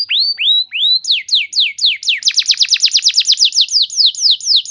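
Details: Singing canary used as a lure for training: three slow rising whistles, then quickening down-slurred notes that merge into a steady, fast, loud trill.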